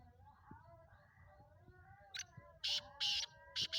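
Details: Sindhi black francolin of the Speeder type, offered for sale, gives one grating call late in the clip: a sharp click, then two harsh rasping bursts and a final quick pair, over a low indoor hum.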